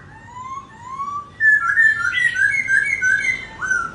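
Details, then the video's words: Laughingthrush singing while dancing: two slurred, rising whistled notes, then a louder, rapid jumble of warbled phrases that rise and fall, ending on one more upslurred whistle, over a faint low hum. "Khướu Muá Hót"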